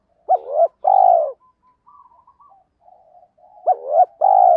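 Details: Kích bổi song of a spotted dove, two matching phrases about three seconds apart. Each pairs a clipped rising note and wavering hoot with a long even coo. Soft faint chirps fill the gap between phrases.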